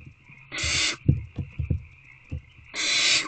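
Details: Nest-box owlets begging while waiting for a food delivery, evening of 3/2/24: two long harsh hisses separated by a series of soft knocks and shuffling thumps, low steady hum throughout.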